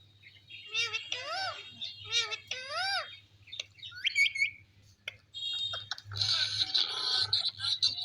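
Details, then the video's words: Pet parrot in a happy mood, speaking and dancing on a tree, gives a series of arched, harmonic squawking calls, several in quick succession, then a brief rising note and a rough, noisy burst near the end. "My Parrot Speaking and Calling In A Happy Mood"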